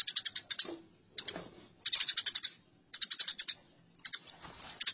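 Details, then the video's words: Tree sparrows fighting, heard as short clusters of quick, sharp chirps alternating with quieter scuffling pauses, five bursts in all. "Masteran Gereja Tarung"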